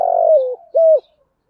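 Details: Cooing of a spotted dove used to lure other doves: one long mellow coo sliding slightly downward, then a shorter level coo, clean recording without background noise.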